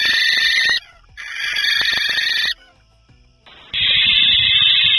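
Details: Barn owl (Tyto alba), hiss: defensive warning when threatened; also chicks begging for food.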